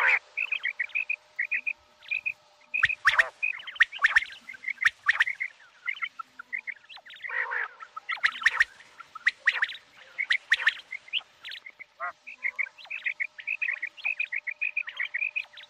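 Common quail giving quick, liquid triple-note calls, repeated in steady bursts, with sharp clicks and knocks breaking in now and then.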